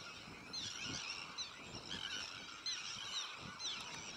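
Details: Sandwich terns calling at a breeding colony among black-headed gulls, Arctic and common terns; steady chorus of harsh, scratchy cries with some thin rising squeals above, plus low buffeting thumps.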